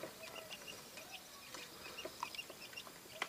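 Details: Quail chicks newly hatched in an incubator from supermarket eggs give thin, high peeps and short chirps in quick, irregular, overlapping bursts over faint background hiss.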